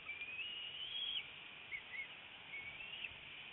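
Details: Bald eagle at a nest cam in northeast Florida, 25 February 2018 at 10:31 am, as the adult female brings a fish and feeds her eaglet; thin, high whistled notes, one long sliding whistle early on, then shorter faint chips over steady background hiss.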